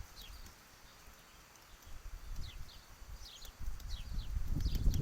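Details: Peanut-pecking downy woodpecker, heard as irregular soft low taps that grow into a louder run of rapid knocks at the end, over steady high descending chirps from other birds.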